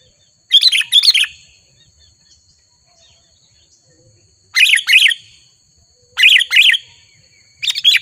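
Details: Wild sooty-headed bulbul agitated by a rival in Lubuklinggau city, Indonesia: separate loud bursts of harsh, chattering notes, each about half a second long, spaced by silent gaps of a second or more.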